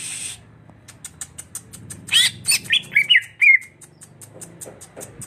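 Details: Greater green leafbird giving a short burst of loud, sliding whistled notes that drop in pitch, against a steady low hum and repeated soft ticking.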